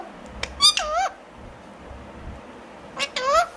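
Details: Alexandrine parakeet talking in two short bursts: a sharp click, then squeaky, warbling syllables that dip and rise, a pause, and a second similar wavering phrase.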